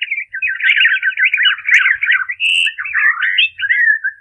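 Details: Robin song at half speed, with high notes and modulations made clearer: a continuous, rich warbling run of tangled twittering notes that rise and fall for over four seconds, ending in a few sliding whistles.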